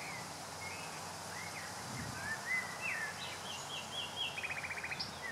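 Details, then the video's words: One of Oxfordshire's last common nightingales sings in May 2014: varied sliding whistles and short phrases, ending in a fast run of about eight repeated notes, over a steady hiss of background noise. "Nightingales singing"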